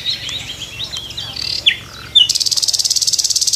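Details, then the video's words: Nightingale singing from a tree in the morning: soft warbled notes and a brief sliding whistle, then a loud, very rapid buzzing rattle of evenly repeated pulses. "Nightingale morning song on the tree"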